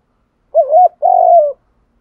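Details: Spotted dove, male and female voices, cooing to provoke decoy doves into calling. A single phrase of a wobbling opening note followed by a drawn-out coo that sinks slightly at the end.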